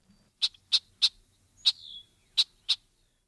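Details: A Red-winged Blackbird in Illinois gives its simple 'check' call, six dry, sharp 'chack' notes at an uneven pace over two seconds, one note trailing off in a brief falling buzz, with nothing else heard.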